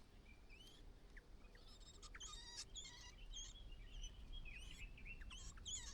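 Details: Calls of a White-browed laughingthrush parent coaxing its only nestling out on the last day in the nest: bright chirps, short hooked whistles and stacked metallic notes, irregular and fairly rapid, over faint background hiss.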